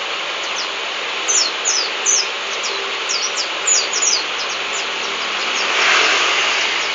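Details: Local white-eye from Lambur singing a rapid run of thin, high, downslurred chirps, bunched in quick bursts over about three seconds, then fading out against a steady hiss of background noise.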